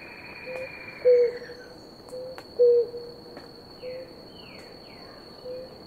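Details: A pair of blue ground doves drinking water: low short hooting notes repeated roughly every one and a half seconds, two loud, others faint, with quick descending chirps of other birds and a constant high whine.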